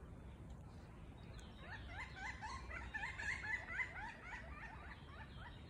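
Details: Pileated woodpeckers, three together on a big oak, in animated exchange; a quick series of hollow, upward-bending notes starts softly, swells mid-way, then fades, with a low background hum throughout.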